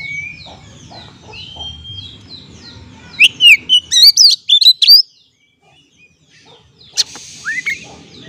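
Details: Oriental magpie-robin singing, a recording meant as therapy to stir stressed kept birds into song. Soft whistles open, then a loud burst of rapid twisting, sharp notes, a pause, and a few scratchy phrases at the end.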